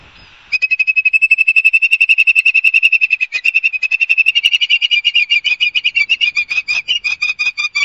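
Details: Ospreys at Barnegat Light, New Jersey, heard on a live nest camera on 5 September 2022 at 11:06 and played at fast-forward speed. A long unbroken series of sharp, whistled chirps comes about three per second, growing slightly faster and uneven toward the end.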